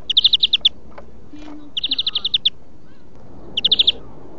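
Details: Song-training recording of a European greenfinch: three bright rolling trills, each a fast string of six to eight evenly repeated notes, separated by pauses of about a second.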